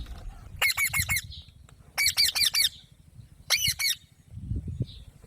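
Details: Alexandrine parakeet squawking in quick bursts of three to four harsh notes, the bursts repeated three times over about five seconds, over a low background hum.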